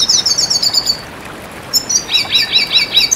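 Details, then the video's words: Red siskin song, offered as a tutoring and lure recording for keepers: high twittering phrases, first a run of quick descending chirps, then a pause, then a rhythmic series of doubled chirping notes repeated about five times. "Masteran Pancingan Bunyi Burung Red Siskin"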